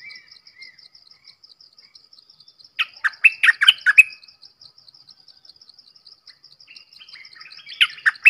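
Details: Red-whiskered bulbul singing: a quick series of loud, chirpy whistled notes rising and falling, a quiet pause filled by steady high ticking, then softer warbles building into another loud chirpy burst at the end.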